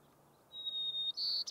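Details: White-crowned sparrow singing on mountain tundra in Rocky Mountain National Park, June 2022. A long, pure, steady high whistle is followed by a brighter, louder note and the start of a buzzy trill, cut off short.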